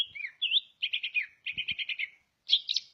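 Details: Song of a greater green leafbird from Ngawi, East Java: a whistled slur, then bursts of quick chattering notes in groups of four to six, ending with a louder buzzy flourish; faint thumps in between.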